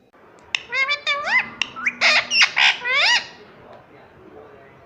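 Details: Talking pet parrot gives a fast rapid series of sharp, rising, harmonic squawks and chattering notes for about three seconds, then falls quiet against background hiss.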